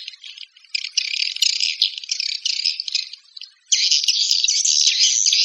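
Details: Swiftlet calls: rapid rattling twitter in broken bursts, a short silent gap at mid-clip, then a louder continuous buzzing chatter to the end.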